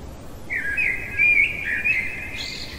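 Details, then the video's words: Blackbird heard at night giving one rich, mellow warbled phrase, rolling and slightly wavering, closing with a higher squeaky flourish; low background hiss throughout. "Merle chantant au cœur de la nuit"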